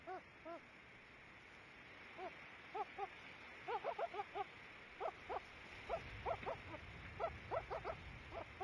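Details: Two loons in view at 08:30 give a run of short, clipped hoots. They start sparse, then come in quick bunches of two to four notes, with a low rumble of background noise.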